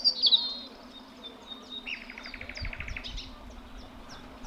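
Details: A European robin singing in spring in the UK gives a thin, high, sparkling opening phrase, then a quick dry trill and scattered high notes, over a low steady hum.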